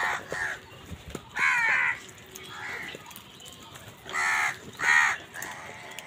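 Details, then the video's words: Crows cawing while wild birds fight with them for food: harsh, hoarse caws in short bursts, some single and some doubled, with quieter caws between louder ones and faint background noise. "Crow bird crowing sound কাকের ডাক"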